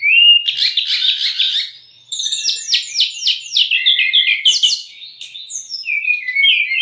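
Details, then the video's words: Brown-chested jungle flycatcher, a prompting recording for kept birds: a fluttering buzzy trill, then a fast string of descending whistled slurs and jumbled twittering, closing with a few clear notes. "MASTERAN DAN PANCINGAN SRDC PALING DI CARI TERBUKTI AMPUH.....untuk srdc bahan maupun srdc stres"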